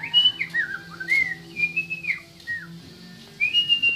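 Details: Oriental magpie-robin from West Kalimantan, Indonesia, giving a series of clear whistled notes, some held steady and others sliding down, separated by short pauses, over a faint low hum.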